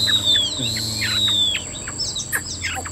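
Chinese hwamei singing: a long, clear whistle sliding slowly downward, then a quick jumble of short varied notes, over a steady high whine and low hum.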